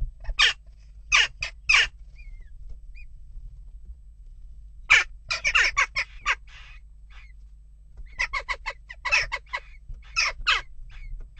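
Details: Western jackdaws in unrest at a nest box give several groups of harsh, abrupt calls separated by short quiet gaps. Each group is a quick run of overlapping rough notes.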